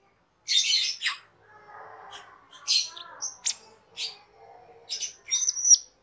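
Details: A cage-kept cucak keling sings as a master recording for training birds. Scattered harsh rasping notes and short sharp clicks sit over softer warbled chatter.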